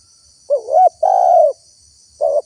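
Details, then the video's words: Spotted dove lure call for trapping wild birds: a wavering rising coo, then a long flat throaty coo, and the start of another phrase, over a steady high hiss. "SUARA TEKUKUR GACOR PALING AMPUH UNTUK PIKAT BURUNG LIAR"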